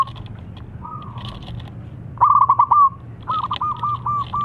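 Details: Zebra dove song, prized for its crystal-clear voice and played to coax reluctant birds into singing: soft notes at first, then a loud, rapid rattle of cooing notes and a bouncy series of evenly spaced coos.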